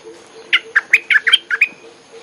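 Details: Bulbul lure song: a single bright phrase of about seven quick, liquid whistled notes over a faint steady low hum.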